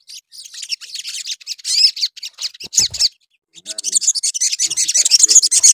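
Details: Sooty-headed bulbul in full song, used to provoke other bulbuls. High, scratchy chattering phrases run fast and uneven, with a short pause midway before a denser burst.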